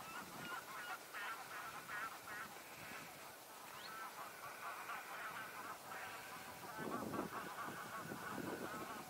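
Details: Flock of black-headed gulls feeding in shallow floodwater of the river Leine, northern Germany, in spring: harsh, grating cries overlapping in a noisy, uneven chorus, growing louder toward the end. Black-headed gull.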